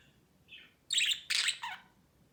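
Budgerigars answer another budgie with a quick run of harsh, bright chirps and squawks.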